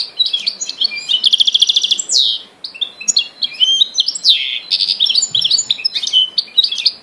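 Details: Goldfinch and canary hybrid in full song: rapid rattling trills, buzzy slurred notes and bright twittering phrases run together almost without pause.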